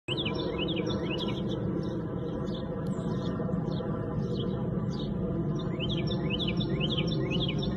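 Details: Carolina wren singing in winter: bright, rolling phrases of quick rising and falling notes, repeated in bursts over a steady low rumble of background noise.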